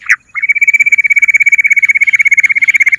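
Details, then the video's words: Bush quail call used as a lure, known locally as bater or juha ki boli: a steady high whistled trill on one pitch, rapidly pulsed about thirteen times a second, preceded by a short rising note. "juha ka boli ( 💯 working ) Bater ki awaaz madi gundari quilling sound bush Quil sound"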